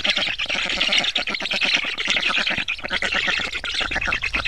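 Black storks give harsh, raspy squawks in rapid, overlapping bursts, a continuous hoarse chatter with no clear pauses.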